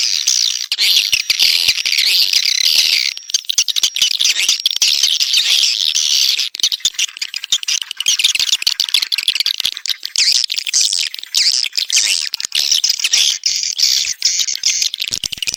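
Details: Swiftlets chattering in a steady, high-pitched stream of overlapping chirps and twitters with crackling clicks throughout, no other sounds standing out.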